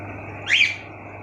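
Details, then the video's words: Pet cockatiel, one of three kept together, gives a single short chirp that rises and then falls, lasting about a quarter second, over a low steady indoor hum. "Cockatielbird's all of them making sweet sounds"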